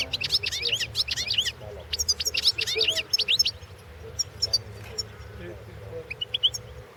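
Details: European goldfinch competition entry from the 2016 World Championship in Goldfinch Song; rapid bursts of bright, twittering and tinkling notes for about three seconds, then sparse scattered chirps over a low hum.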